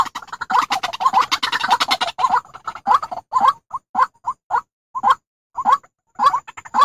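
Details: White-breasted waterhen call used as a lure for trapping: a dense burst of harsh, pulsing croaks, then separate rough notes repeated irregularly with short silent gaps.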